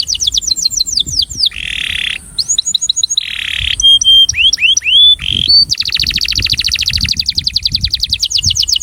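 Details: A male breeding canary sings an attraction song: a loud, unbroken run of rapid trills, sweeping whistled notes and fast repeated chirps, shifting between phrases every second or so.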